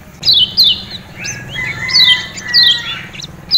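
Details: Ciak ciak calls of a lemon-bellied white-eye from Lombok: bright, high chirps that drop quickly in pitch, spaced roughly every half to one second, with softer echoing tones beneath.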